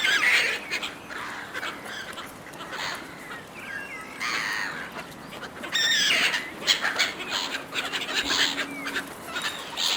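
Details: Many gulls competing for food from a person. Loud bursts of harsh, wavering squeals arrive in waves, with short quieter gaps between them.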